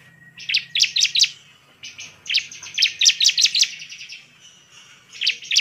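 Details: Energetic bar-winged prinia song meant to stir rival prinias into singing: rapid groups of bright, piercing chirped notes, three or four per burst, with gaps of about a second, and a soft low drone underneath.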